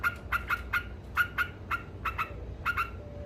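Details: Yellow-vented bulbul chattering in ngekek style, about a dozen sharp, metallic chips in quick pairs, ending with a faint steady tone under low background noise.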